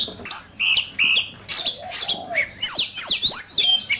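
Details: Oriental magpie-robin in fiery competitive song: short whistled phrases alternating with harsher notes, ending in loud, steeply falling whistles repeated about every half second.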